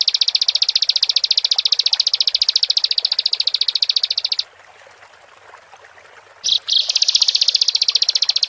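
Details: Bar-winged prinia trilling rapidly in high, sharp notes for over four seconds, falling silent for two, then resuming with short bursts and another fast trill.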